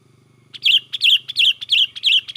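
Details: Sooty-headed bulbul in energetic 'gacor' singing, used as a lure for trapping: after a short quiet start, bright, wavering whistled phrases repeat about every third of a second, five phrases in a quick run over a faint low hum.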